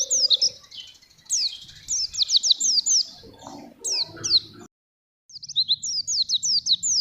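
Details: Oriental white-eye, banana-fed and undoped, singing as a master for young birds or for trapping wild birds; rapid bursts of high swooping chirps in several phrases, broken by a short silence, with soft murmurs below.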